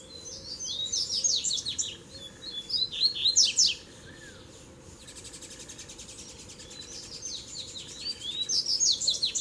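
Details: Song duel among three male Rusty-collared seedeaters: fast, high-pitched twittering phrases of slurred notes repeated in bursts, a brief gap with a soft buzzy background trill, then renewed rapid twittering over a low steady hum.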